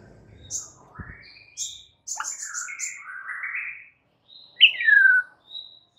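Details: White-rumped shama singing in a recording intended to train stressed birds: scattered high chips, a quick series of five sharp notes, wavering whistles, then one loud clear whistle sweeping downward; a soft thump early on.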